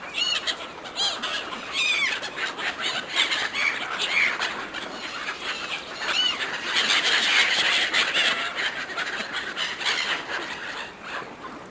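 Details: Gulls fighting over food offered by hand, a dense chorus of shrill squealing and squawking calls from many birds at once, overlapping continuously with bursts of rapid repeated notes and steady background rush.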